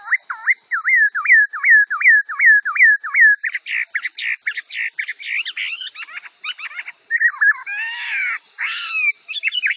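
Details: A Chinese Hwamei sings loud, rising and falling whistled notes about three per second, then breaks into varied, faster, buzzier phrases; the song is offered as a tutor recording for training other cage birds.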